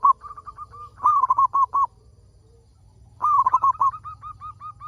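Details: Zebra dove of local stock, singing vigorously to prompt other zebra doves. Soft repeated coos are broken by two loud bursts of five or six rapid, rolling notes about two seconds apart.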